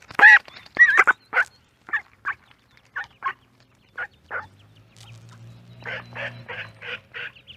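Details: Duck with ducklings in a pond giving short, scattered nasal quacks at uneven gaps. The calls fade, then return as a tight burst of five quacks over a low droning hum.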